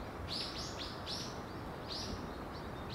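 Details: House swifts from a colony of about 200 nesting under a building rooftop eave in Surugadai, central Tokyo, give high, thin twittering trills, several birds overlapping in quick bursts, over a steady low rumble.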